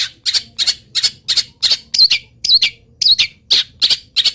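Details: Long-tailed shrike of local origin, singing during its moult, with wild bird imitations woven into the song; an even series of rasping, screechy notes, roughly three a second, a few with whistled twists.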